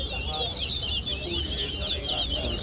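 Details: Seed finch (towa-towa) in a singing contest at Guyana National Stadium, pouring out busy, rapid chattering warbles of sharp zigzag notes without pause; low background rumble and a man counting numbers nearby.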